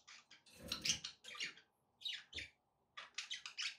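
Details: Budgerigars, kept as pets, offered as company to get a pet parrot eating and singing: clusters of rapid buzzy high chirps and squeaks, broken by short silences.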